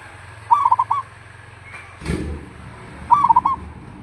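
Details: Zebra dove of a local type, its loud coo used to draw replies from other doves; two trilled phrases about two and a half seconds apart, each a quick stutter of notes ending in a drawn-out coo, with a soft rustle between.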